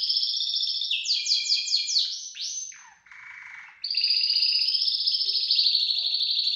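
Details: Belgian canary singing outside its cage: a loud, continuous run of high trills and rapid repeated notes, with descending sweeps and a brief quieter rasping passage before a long even trill resumes.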